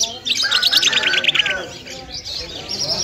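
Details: Afghani lark, Lunda or Mashadi jal, singing a fast run of about a dozen sharp descending whistled notes, then softer, scattered high twittering.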